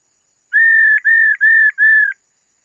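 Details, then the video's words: Female laughingthrush singing to excite males, giving four even, flat whistled notes in quick succession, each ending with a brief upward flick, in an otherwise quiet setting. "tiếng khướu mái ro kích trống hót hay mỗi ngày"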